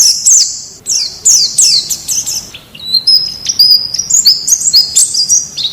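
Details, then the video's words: Wild white-eye song of the kind used to train captive birds to start singing: rapid, high, thin twittering of quick chirps and short downslurred notes in dense bursts, with a steady soft background hiss. "Suara Masteran Pleci Ngalas Agar Cepat Buka Paruh"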